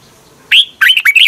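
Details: Red-whiskered bulbul song from Thailand, played to stir up caged birds: a single short warbled phrase of bright, liquid notes that jump up and down in pitch, ending abruptly after under a second.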